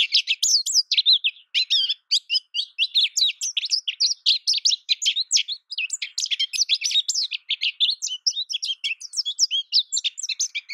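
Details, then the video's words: American goldfinch pouring out a long, almost continuous warble of quick high twitters and sweet chirping notes for more than ten seconds, with no other sound. "American goldfinch Bird Sound, Bird Song, Bird Call Bird Calling Chirps, Birds Chirping Melody"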